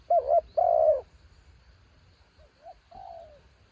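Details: Spotted dove used as a decoy bird, said to call strongly against high wind: a loud wavering double coo, then a long, slightly falling purred coo, followed by softer, fainter coos from another dove.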